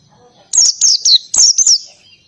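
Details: Oriental white-eye in ngalas-style song: a short burst of five high, bright, down-slurred whistled notes in quick succession, with faint low background sound.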